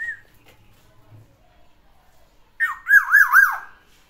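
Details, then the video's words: A home-kept Black-naped Oriole with three trained song variations gives a brief whistle, then after a pause a loud, mellow, rolling phrase of three or four smooth dips and rises that slides downward at the end. "KEPODANG ISIAN TIGA VARIASI"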